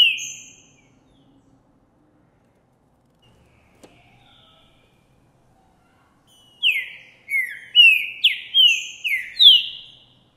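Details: Green-winged saltator of the Boi type singing in January 2024 after sighting a female: one whistle, a long pause, then a burst of seven strong downward-slurred whistled notes close together.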